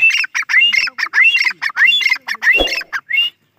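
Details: Grey francolin calling: a fast, harsh run of loud, squawking notes with rising whistled tones, repeated roughly every half second with short gaps, one low thump partway through.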